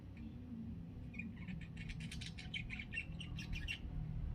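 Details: Chattering parakeet near afternoon nap time, giving a quick series of short high chirps and twittery notes packed together for about three seconds, over a constant low rumble.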